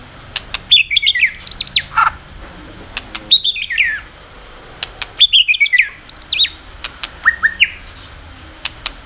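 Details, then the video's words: White-rumped shama singing hard to provoke inhibited birds: bursts of high, sweeping, slurred whistles in separate phrases every couple of seconds, mixed with sharp clicking 'tạch' notes. "kích chòe lửa hót cực sung.chòe lửa hót tạch liên tục kích thích chim ức chế"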